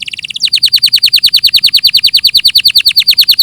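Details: Canary song in clear audio: a brief high buzzy roll, then a fast steady series of sharply descending whistled notes, about three per second, with no other sounds.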